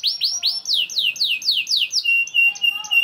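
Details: Vigorous young canary song meant to spur other canaries to sing: a series of loud, clear downward-slurred whistles at about four per second, ending in short steady piping notes.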